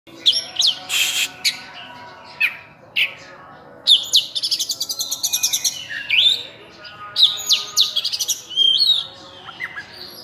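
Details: Oriental magpie-robin (kacer, locally called burung cincim pala) singing actively, its song full of filler phrases: varied sharp upswept whistles, buzzy bursts and fast stuttering note runs, with brief pauses between phrases.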